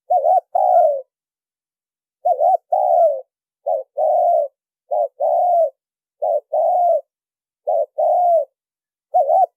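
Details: Spotted dove lure call used for decoy trapping: clean, noise-free cooing phrases, each a short two-part coo followed by a longer drawn-out coo, repeated about every 1.3 seconds.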